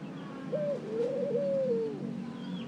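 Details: Single long coo from a ring-necked dove: a short note, a dip, then a drawn-out steady tone that falls away, with a faint whistle from another bird at the end.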